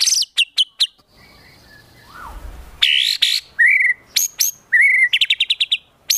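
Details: White-rumped shama training song for contest birds, in 'tembakan' style: sharp high clipped notes, a quiet pause with a faint falling note, then loud harsh bursts, clear whistles and a closing quick series of repeated chips.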